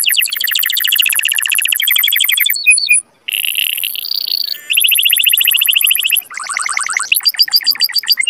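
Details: Canary mating song for stimulating males and females: dense rapid trills broken by brief pauses, a high sustained whistle, then lower rolling tours and chopped repeated notes toward the end.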